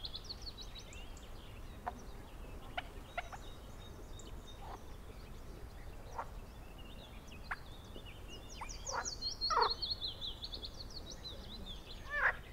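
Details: Eurasian coot in spring at a pond in a nature reserve near Münster: short, sharp, explosive calls at irregular intervals, two louder near the end, over steady background hiss with high twittering songbird song throughout.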